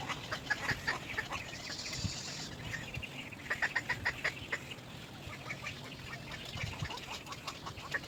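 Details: A little egret chick cries for its mother with rapid, harsh chattering cries in short bursts, quick clicky notes strung together several times a second over a rough background hiss.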